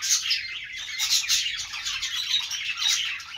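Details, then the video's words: Budgerigars, Australian parrots, chattering in a dense, continuous stream of high, scratchy chirps and warbles with quick rises and falls, loudness pulsing roughly once a second. "budgies sounds | parakeet chirping sounds |Australian parrot sounds"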